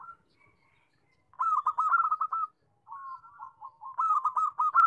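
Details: Zebra dove (perkutut) song: after near silence, a quick run of bubbling, stuttered coo notes, a short gap, then a softer level coo swelling back into another rapid trilled burst; clean, quiet setting.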